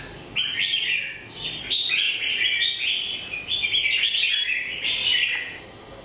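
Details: Red-whiskered bulbul, beak in moult, sings a flowing sequence of sweet slurred whistles in joined phrases, with faint background hiss.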